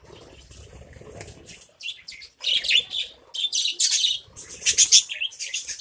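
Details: Budgies in a cage colony feeding on grain, with fluttering wingbeats and rustling early on, then loud bursts of sharp, high chirping and warbled chatter from several birds at once.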